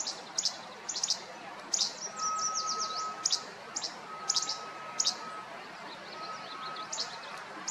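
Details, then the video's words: Least flycatcher song of crisp, explosive clipped notes given in quick bursts, mixed with a softer rolling chatter from another bird and a faint steady tone in the background. "Chant du moucherolle tchébec"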